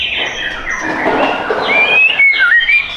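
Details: Caged white-rumped shama at a Tangerang Selatan bird shop, Indonesia, giving a brief stretch of soft warbling followed by pure, clear whistled notes that rise and then dip.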